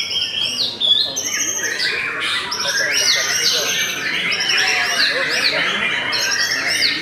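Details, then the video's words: White-rumped shama, Belanda type, pours out bright whistles, rising and falling slurred notes and crisp chirps in a busy, unbroken stream. "TOP CERR🔥 Murai Batu BELANDA Memang TOP - Masih Stabil"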